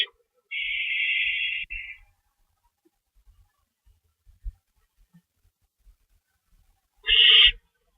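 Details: Owl screeching after chasing an unknown owl, at night; one long rasping screech over a second, a short tail, then quiet with faint low knocks, and another brief harsh screech near the end.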